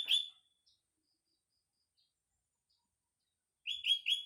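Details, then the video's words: Sooty-headed bulbul singing in the morning among greenery: one bright chirp and a faint brief note, then a long silence, then a quick run of three loud, ringing chirps at a steady pitch. "burung kutilang berkicau"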